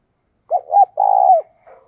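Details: Lure call of a decoy spotted dove: two clipped low notes, then a long steady coo ending in a downward slur, with a faint trailing note after.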